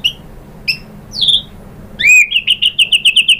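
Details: White-rumped shama song used as a lure to provoke other shamas: a few separate high whistles and a falling slur, then a rapid run of repeated sharp whistled notes, about eight per second.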